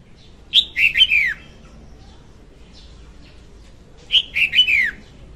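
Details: Hen red-whiskered bulbul singing, the recording used to lure birds into traps: two rollicking whistled phrases of four or five quick notes, each ending with a downward slur, separated by a three-second pause.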